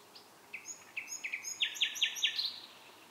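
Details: Bird singing at night, giving high chirped notes that start sparse, then quicken into a run of strong, evenly spaced descending strokes before fading into softer twitters. A faint steady background hiss is audible.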